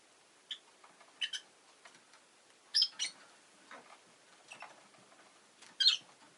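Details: Rosy-faced lovebirds in a home, two recently added, making irregular sharp chirps and softer twittering notes, some in quick pairs, over constant background hiss.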